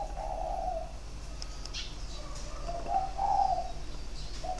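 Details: A captive male spotted dove with a sharp voice, standing on its perch, gives crisp, mellow coos in three-note phrases, one near the start and another about three seconds later, over a steady low hum; recorded 23 February 2020.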